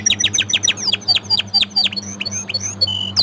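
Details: Orange frost canary repeating crisp, downward-slurred chip notes in a quick series, ending in a short flat whistle, with a low hum underneath.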